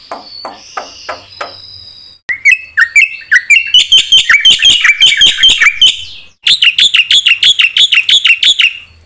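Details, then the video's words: Black-winged myna in lively, phrase-rich song used to stir other mynas into singing: soft rasping notes, then a burst of varied whistles and chirps, ending in a fast, even trill of bright notes. "sekali putar bikin JENGKEL semua burung jalak - pancingna suara jalak putih gacor full isian"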